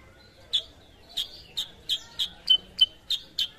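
A sooty-headed bulbul gives bright, sharp chirps, about three each second. The notes are high, clear and evenly repeated over a quiet background.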